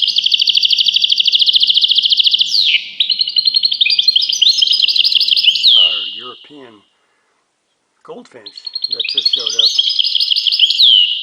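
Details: European goldfinch song of dense, fast, high rolled trills and twittering phrases, with a descending sweep. Lower nasal chattering notes appear midway, followed by a short silence before the high trilling resumes.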